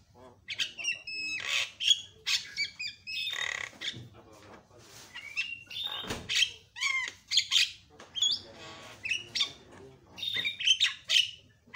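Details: Javan myna (jalak kebo) loud calls used to provoke other mynas into calling: a busy run of harsh squawks, chattering bursts and sharp whistled notes, with short pauses between loud phrases.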